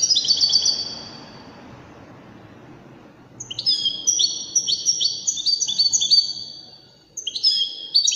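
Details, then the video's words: Singing European goldfinch of the Widani type, with an elegant performance: a quick high twittering flourish, a quiet gap, then a sustained, lively stream of sharp, silvery notes and trills to the end, against soft background noise. "تغريد رائع أناقة في الأداء طائر الحسون الويداني"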